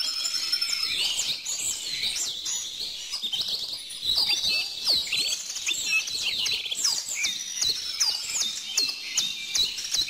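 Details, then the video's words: A dense chorus of bird song: steady high twittering and sharp repeated chirps from several birds overlapping throughout, with no pauses. "bird song"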